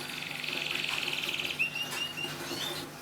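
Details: Canary song used to coax silent canaries into singing, soft here: a fast buzzy high trill for about one and a half seconds, then thin rising whistles and short chirps.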